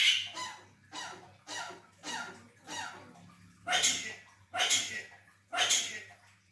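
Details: A Javan myna gives seven harsh, breathy bursts about once a second, mimicking coughs and sneezes, over a low steady hum; this bird can also say "selamat pagi" (good morning).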